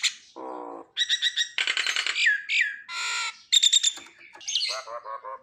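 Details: Nias hill myna song for prompting silent mynas: a low nasal harmonic note, then loud harsh squawks, buzzy bursts and a clear whistle, ending in a series of low stuttered nasal notes.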